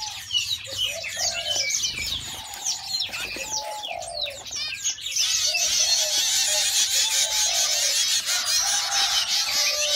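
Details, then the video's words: Hungry young zebra finches beg with scratchy chattering notes and scattered whistles, then a louder, steady buzzing chorus of rapid repeated calls takes over halfway through. "Baby finches are hungry - Zebra finch"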